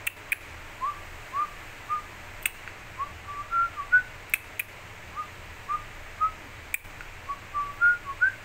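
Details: A cockatiel perched on top of a flower pot whistles the learned tune "Another One Bites the Dust" in short, clear, rising and falling notes, with a few sharp clicks.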